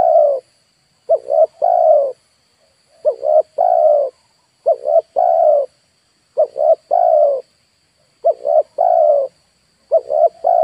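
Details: Decoy spotted dove kept for luring wild birds, cooing in repeated phrases of two quick clipped notes followed by a long, slightly falling coo, with roughly a second of silence between phrases and a thin steady whine behind.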